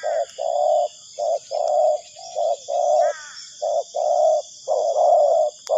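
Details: Spotted dove calling as a trapping lure: deep repeated coos grouped as short-long pairs, with a faint bird chirp and a constant high-pitched hum behind.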